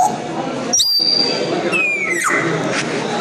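An African grey parrot gives two clear whistles: a high, level note followed by a longer one sliding downward, over steady indoor background noise.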